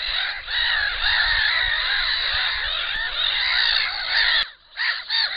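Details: Black-winged stilts at a nest with an enlarged clutch give a dense, overlapping chorus of sharp, yelping calls, many birds at once, with a low rumble of wind beneath.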